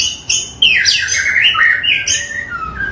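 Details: White-rumped shama, local Bahorok variety from Indonesia: sharp opening notes followed by a descending run of slurred warbles ending in a low whistle.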